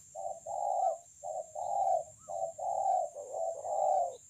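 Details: Close, strong cooing from a 'bổi' spotted dove praised for its voice, Kon Long, 9 June 2020: soft, hollow short notes each followed by a drawn-out warbling coo, four phrases in quick succession.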